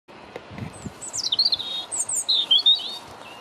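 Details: European robin in the UK singing in the morning: a high, thin, tumbling warble of sweet whistled phrases that slide downward and waver, over steady low background rumble.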